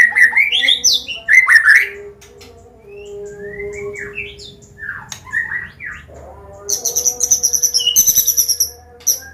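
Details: Medan-type white-rumped shama singing a varied combination song used to train young birds: loud whistled slurs at first, then softer scattered notes, ending in a fast high chattering trill, with a faint hum beneath.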